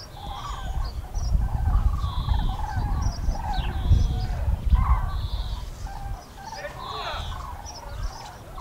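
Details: Common cranes flying over the Eifel, Germany, on 6 March 2018; several birds give overlapping trumpeting calls in short bursts, mixed with heavy low wind rumble throughout.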